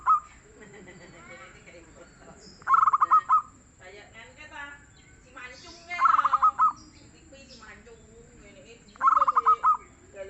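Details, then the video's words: Soft-voiced local zebra dove singing steadily: three pulsed cooing phrases about three seconds apart, each a quick string of notes ending in longer coos, with chattering calls from other birds in between. "SUARA BURUNG PERKUTUT LOKAL YANG GACOR DAN EMPUK"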